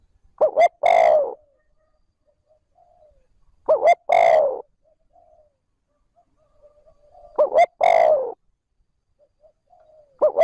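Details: Three full phrases and the start of a fourth from a decoy spotted dove, calling trơn ròng to provoke wild doves. Each is a short double hoot and then a longer falling coo, repeated roughly every three and a half seconds, with soft murmurs between.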